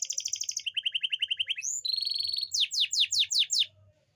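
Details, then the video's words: Singing canary, used to stimulate females that are slow to mate. Fast rolling trills give way to a dense buzzy passage, then a series of quick descending sweeps repeated about six times before fading. "Suara memancing kenari betina susah kawin"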